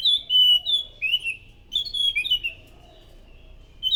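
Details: Orange-headed thrush lure song with varied loud whistled phrases, rising and falling slurs in quick succession, and a short gap before it resumes.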